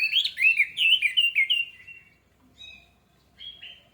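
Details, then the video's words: Orange-headed thrush lure song meant to make birds sing: a loud run of quick, looping warbled notes sliding slightly downward, then softer scattered whistles. "AMPUH UNTUK PANCINGAN ANIS MERAH MEMICU CEPAT BUNYI DAN GACOR!"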